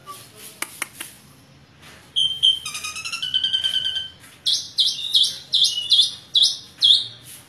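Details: Asian pied starling song with many varied phrases: a few sharp clicks, then a rapid rattling series of high notes, followed by loud squeaky phrases repeated roughly every half second.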